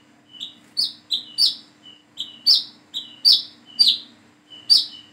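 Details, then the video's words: Learning plain-throated sunbird giving a busy series of high, sharp descending chirps, about a dozen in five seconds, linked by brief thin whistled notes, with a low steady hum beneath. "PANCINGAN SUARA BURUNG WICEH KOLIBRI KELAPA BIAR BISA WICEH WICEH"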